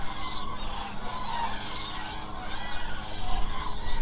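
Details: Common cranes gathered at night in the Hula Nature Reserve, Israel: a steady wash of many trumpeting voices, individual bugles swelling repeatedly from the crowd, over low continuous noise.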